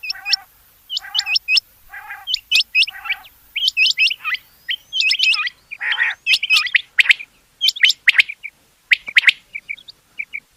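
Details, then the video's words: Rain quail giving sharp, metallic whistled notes in quick pairs and triplets, high and bright, among busier chirping from other small birds. "Rain Quail Sounds bedana sayrashi bedana ovozi Batair Ki Awaz بٹیر چنکہ کی آواز"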